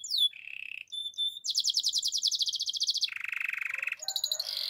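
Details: Russian canary song: a falling whistle into a low buzzy trill, clear level notes, a bright rapid rolling tour, a lower fast roll, then mixed high chirps.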